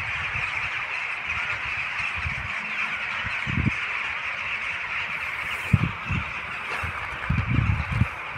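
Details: Tens of thousands of gregarious rooks gathered in one huge flock, heard from the roadside as a continuous roaring chorus of harsh calls, with low rumbling thuds and a camera operating nearby.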